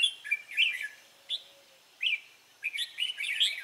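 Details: Wild red-whiskered bulbul singing on 23 April 2017, short bright warbled phrases broken by brief pauses, single sharp notes between busier chirpy runs, quiet background.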